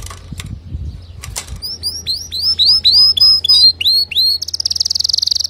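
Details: Male canary singing to teach young canaries; after opening clicks and soft flapping, a series of upswept whistled notes gives way to a rapid, even, high buzzy trill.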